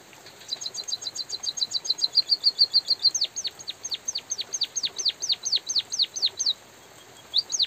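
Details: White-headed munia in full rolling song during light drizzle. A rapid trill of very high, short notes settles into a steady stutter, then a long run of thin downward-sweeping whistles ends in a pause. Gentle rain hiss continues.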